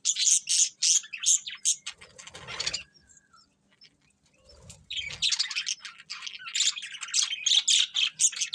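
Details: Contented pet budgies while feeding: rapid series of bright chirps, then a lull with rustling, followed by renewed busy high twittering chatter.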